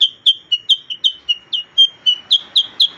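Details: A black-headed bulbul gives rapid, slightly warbling whistled notes, around four per second. The notes alternate higher and lower, with faint hiss in the background.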